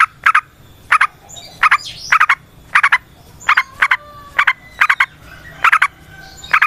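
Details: A yellow-vented bulbul, recorded as a lure to get other bulbuls singing, gives paired clipped notes in a steady beat roughly every half to three-quarters of a second, with quiet twittering between them.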